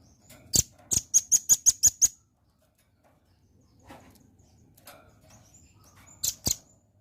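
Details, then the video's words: Lure recording of a velvet-fronted nuthatch meant to prompt a reply: a fast series of about eight shrill, high chips, then near silence, then two more sharp notes close together. "PANCING BUNYI BURUNG RAMBATAN PARUH MERAH AGAR CEPAT RESPON"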